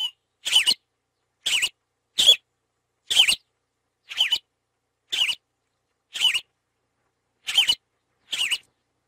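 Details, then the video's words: A Yellow-rumped Marshbird gives about ten short, bright, high-pitched notes, roughly one each second, against a quiet background. "CANTO DO CHOPIM DO BREJO"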